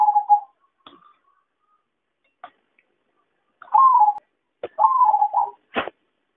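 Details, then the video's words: Zebra dove trapping lure: several trilled, downward-sliding coos, the last two close together, mixed with sharp clicks and knocking sounds. "suara pancingan dan suara pikat perkutut paling ampuh"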